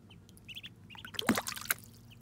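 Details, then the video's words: Muscovy ducklings during their first bath: a few high, quick peeps, then a burst of splashing water with more peeps mixed in. "Muscovy Ducklings’ First Bath"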